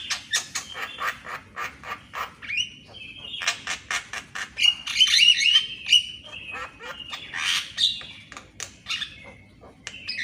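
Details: Javan myna at morning, recorded to stimulate captive mynas to sing. It gives rapid rasping notes, about four a second, broken by whistled tones and louder grating squawks toward the middle.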